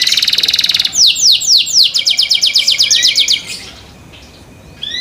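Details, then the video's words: Canary in care singing to draw other canaries in: a buzzy roll, then four slow down-slurred whistles followed by a fast run of repeated clipped notes, ending in near silence. "THE SOUND OF CANARIES CAN MAKE OTHER CANARIES JOIN TO SING"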